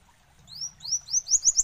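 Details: Olive-backed sunbird opening its song with drawn-out, high upslurred whistles that come closer together and sharpen into chips.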